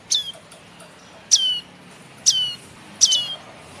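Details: Lure recording of a young prenjak kepala merah tailorbird begging: scattered high, rasping down-slurred chips, four main notes with irregular gaps, the last one doubled, over low steady background noise.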